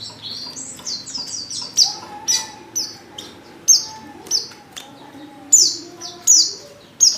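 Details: Calling female white-eye in heat, summoning a male. A quick run of high twittering notes is followed by loud, piercing descending chirps spaced under a second apart, over low background hum.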